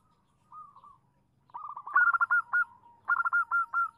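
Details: Female zebra dove calling a male, a lure to draw replies: a soft short trill, then louder quick runs of clipped cooing notes rising in strength, in two bursts.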